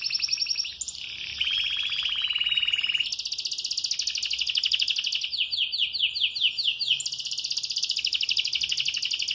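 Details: Canary changing its feathers yet singing all day: a clear whistled note over a trill, then a long loud rapid roll, a series of swept chirps, and another fast buzzy trill.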